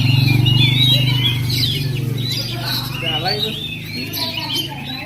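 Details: Oriental magpie-robin, a bachelor bird (kacer perjaka), delivering quick, twisting whistled phrases and chirps over a steady low hum and a human voice in the background.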